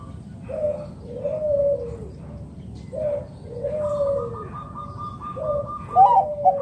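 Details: Local wild zebra dove cooing to draw other doves into answering; soft downward-sliding coos come about every one and a half seconds under a steady higher drone, ending in a brighter rattling note.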